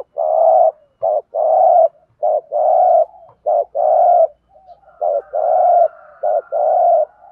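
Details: Spotted dove 'thúc gù' call in the 'Thổ' voice, used to lure birds into traps: rapid alternation of a brief clipped note and a longer full coo, about five pairs in seven seconds, low and resonant.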